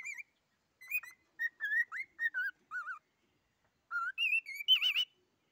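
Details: Singing cockatiel giving short whistled notes, several with wavy, rising-falling shapes, a brief pause, then climbing phrases ending in a trilled, wavering whistle.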